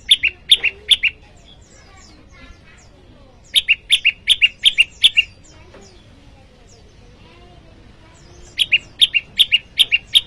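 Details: Bar-winged prinia (prenjak lumut) in varied rival-calling notes for luring wild prinias and tutoring cage birds: three bursts of shrill, uneven chirps with small pitch jumps, separated by quiet gaps.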